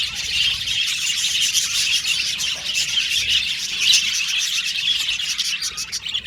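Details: A group of Australian budgies sings, its busy, high-pitched chattering punctuated by brief sharper chirps every second or so.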